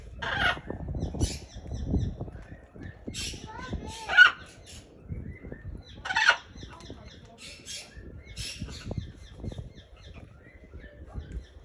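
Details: A pair of macaws, seemingly kissing or courting, trade harsh, raspy squawks and softer chattering notes in irregular bursts every second or two, over low rumbling and rustling background noise.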